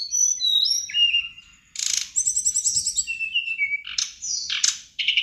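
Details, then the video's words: A Golden-bellied Gerygone in full song gives high, thin sliding whistles falling in pitch, with quick buzzy trills and sharp bursts; used to provoke other gerygones into answering and competing. "burung srdc gacor bikin srdc lain nyaut narung"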